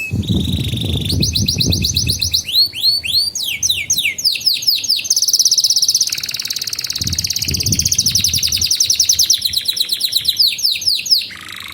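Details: Training song of a canary, played to young canaries and to canaries that have stopped singing. It moves through a steady whistle, varied sweeping phrases and long rolling trills, with low rumbling background noise at times.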